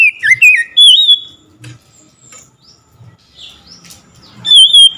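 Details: Oriental magpie-robin responding to a rival's singing: sharp swooping whistles at the start, quieter scattered chirps in between, then a steady loud whistled note near the end.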